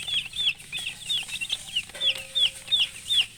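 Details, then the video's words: Chicks with their hen give clear, separate downslurred peeps about three times a second, over a faint steady hum and a brief low tone near the middle. "silly chicken chirping sounds with murgi hen color chicken"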